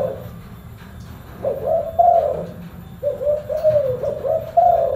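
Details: Cooing of a spotted dove kept as a pet: two short bursts of soft, hollow coos, the second a quick run of four or five notes ending on a higher, drawn-out coo, over a low steady background rumble.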